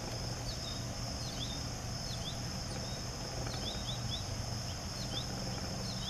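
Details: Juvenile goldfinch begging to be fed by its mother, September 11, 2018, with another young bird crowding in; about a dozen short, thin slurred chirps come in loose runs above a constant shrill insect hum and low background rumble.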